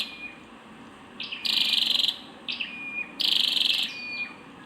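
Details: Two harsh, buzzy bursts from a female Scarlet-backed flowerpecker, each preceded by quick high chips, with a thin steady high tone at the start.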